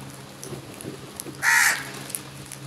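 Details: Crow giving one rasping caw while a large number of crows attack food together, the call brief and loud over a low, steady crackle of background sound.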